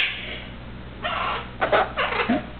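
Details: Pet Eleonora cockatoo talking indoors while strutting, a string of rough voice-like syllables with a short rising squeak at the end, surrounded by owner chatter of "what's up" and "hello".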